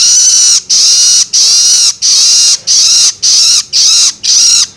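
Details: Juvenile long-tailed shrike begging, a sound used to stimulate adult birds: harsh, rasping, buzzy squawks repeated about twice a second, eight loud bursts with short clean gaps between them.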